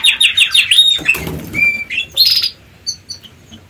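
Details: Nest-building canaries preparing to lay eggs: a fast series of sweet repeated chirps, then a short pause with fluttering wings, a thin steady whistle and a bright burst of high twittering notes.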